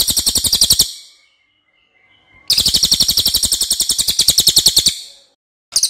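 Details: Loud, long song of a racket-tailed treepie, kept as a tutor recording for other songbirds: fast, high, rattling trills of evenly spaced pulses, broken by a quiet gap of about one and a half seconds.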